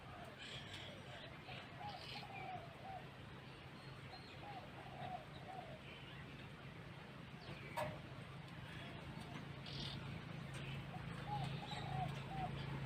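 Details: Zebra dove cooing while brooding chicks: soft, rapid staccato coo notes in short rolling bursts, repeated several times across the recording, over a steady low hum and faint background noise.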